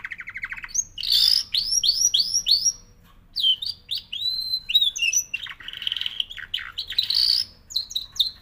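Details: Canary delivering fast series of upward-swept whistles, then buzzy chattering phrases and a bright trill, with a brief pause midway.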